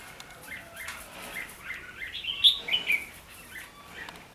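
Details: Red-whiskered bulbul singing during bird trapping on 17 December 2015, the kind of contest singing used by a decoy bird; bright warbled phrases of short chirping notes rise and fall over four seconds, loudest midway, with faint background rustling.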